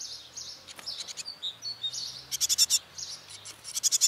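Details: Young great tits from a brood of ten raised by both parents in a trash-can nest: soft thin high chirps mixed with clusters of harsh rasping bursts, three to five per cluster.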